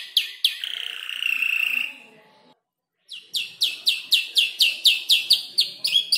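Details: Canary around five months old practising a song built from other birds' voices, including ciblek, klik-klik and prenjak lumut, gives a long buzzy note, a brief pause, then crisp rhythmic chirps repeated about four per second.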